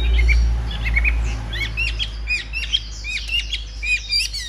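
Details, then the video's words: Chinese hwamei, a large-bodied bird singing during a wing-spreading fighting display: quick varied whistled notes and chirps, bright rising and falling slurs, with a low rumbling hum underneath. "Bộ to đấu xòe hót rất tốt, giộng rất hay"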